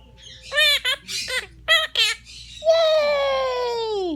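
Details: Pet Quaker parrot, a female, joining her owner's singing with clipped harmonic notes, several quick rising syllables, then one long sustained tone that slowly slides downward at the end.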